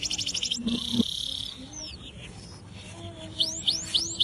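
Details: Atlantic canary song, uncaged bird used as a master for training others; brief buzzy trill and rolled note, a quiet pause, then four spaced, high, rising whistled chirps.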